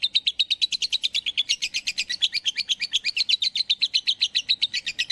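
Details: Rapid high-pitched chirps from a bird, delivered in a continuous rhythmic run of around seven notes per second, each note short and sharp, the series slightly uneven in spacing and loudness.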